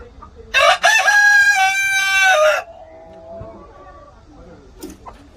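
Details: Korean native rooster, a traditional local breed, crowing: one loud, harmonic-rich call lasting about two seconds that holds its pitch and drops at the end, followed by quieter faint clucks.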